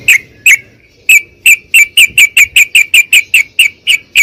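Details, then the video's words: Trucukan, the yellow-vented bulbul, in a lure recording for silent birds: a steady series of about fifteen sharp, clipped notes, speeding up from widely spaced calls to roughly three or four per second. "PANCINGAN TRUCUKAN MACET BUNYI"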